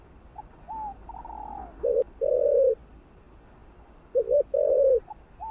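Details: Cooing spotted dove, played to rouse other doves: a higher, softer voice gives short notes and a long falling coo, then low, loud paired coos, a brief one and a drawn-out one, come twice.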